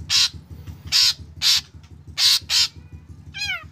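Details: Ashy drongo song used to make other drongos start singing: harsh, loud, buzzy notes repeated about twice a second, then a wavering mewing call, over a steady low mechanical hum.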